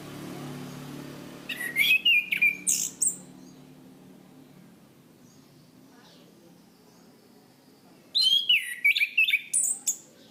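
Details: Cage-bird training recording of an Orange-banded thrush, a songbird of Southeast Asian forests. Two separate bursts of rich, warbling whistles, each sliding between mid and very high pitches, divided by several seconds of quiet.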